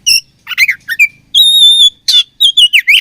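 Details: Oriental magpie-robin (kacer) from Indonesia, in fighting mood: loud, varied whistled phrases with sharp chirps, a long steady high whistle, then buzzy rasping notes and quick rising-falling trills over about three seconds.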